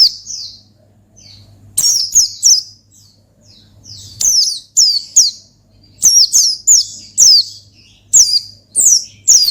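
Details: Oriental white-eye song meant to provoke a rival, heard as repeated high, sharp chirping bursts, fast and thin, arriving in clusters after quiet gaps, over a faint low hum.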